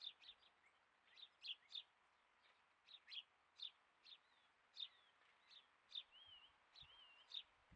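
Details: A captive two-year-old female satyr tragopan with her chicks: thin, high peeping notes repeat about every half second, with a few brief warbled whistles mixed in over a quiet background.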